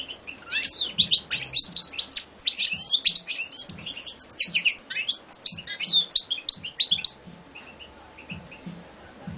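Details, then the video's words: European goldfinch, a champion competition bird, delivering a fast, unbroken run of high, liquid twitters, buzzy trills and chattering notes for about seven seconds, then a few soft scattered chirps as the phrase trails off. "Şampiyon Saka Kuşu"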